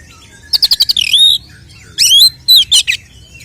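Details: Oriental magpie-robin (kacer) fighting song, used as a lure to rouse a male's emotion and tail-spreading: a burst of five rapid sharp notes, then a bright rising whistle, and later two more twisting whistled phrases.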